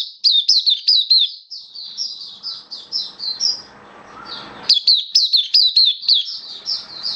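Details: Oriental white-eye kept in a cage, recorded 27 October 2022 during a song-boosting supplement test, pouring out rapid high twittering phrases of falling slurred notes, softening midway before a strong, dense renewed outburst.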